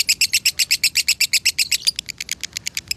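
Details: Salatiga lovebird with 8400 points, konslet style: very fast, clean series of high clipped chirps, about four per second, loud and rhythmic throughout.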